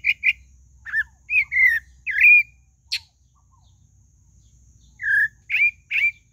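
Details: Pale-breasted thrush singing short whistled and warbled notes, several bending down then up, with one sharp high click mid-phrase and a long gap of quiet before a final run of slurred whistles.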